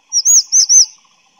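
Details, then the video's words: Grey-chinned minivet calling: four quick, very high, thin whistled notes, each slurred up and down in an arch, run together in under a second, with a clean, quiet background. "灰喉山椒鳥/Grey-chinned Minivet"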